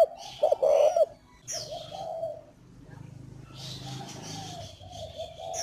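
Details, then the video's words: Cooing of a spotted dove held at a bird-breeding farm in Ba Vì district, Hanoi, Vietnam: a loud pair of throaty coos opens, then softer coo phrases follow over background chirping and a low droning hum. "ĐOÁN XEM GÁY GIỌNG GÌ"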